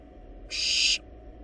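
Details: One loud, noisy screech lasting half a second, given by wild barn owl nestlings in their nest box while feeding on a large rabbit; low mechanical hum underneath.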